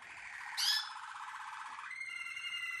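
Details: Malinois Waterslager canary song: a steady rolling trill with a sharp high note early on, then a switch to clear flat sustained tones.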